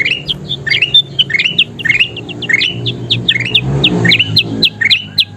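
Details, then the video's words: Golden bulbul (kutilang emas) in lively 'gacor' song meant for teaching birds to sing: rapid, rising whistled notes in quick succession, continuous and busy, with a low rumble partway through. "SUARA KUTILANG EMAS GACOR PALING DICARI"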